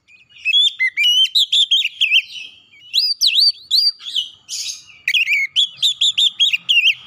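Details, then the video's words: Oriental magpie-robin song used to stimulate a stressed untrained bird: a long, varied sequence of crisp whistles, upslurs and chattering notes in rapid phrases, with one brief raspy note between phrases. The background is quiet. "PANCING 30 MENIT TIAP HARI PAGI | SIANG | MALAM KACER BAHAN SETRES CEPAT GACOR"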